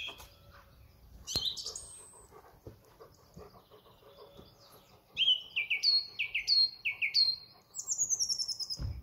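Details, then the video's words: A song thrush at Thoralby on 2 June 2020, running through its repertoire: one short bright motif repeated four times in quick succession, then a high, rapid twittering run; faint background hiss. "Song thrush"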